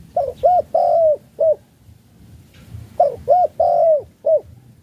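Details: Luring-style cooing from a spotted dove of the Malaysian type: two phrases, each two short hollow notes, a long, steady coo and a final short note, spaced about three seconds apart.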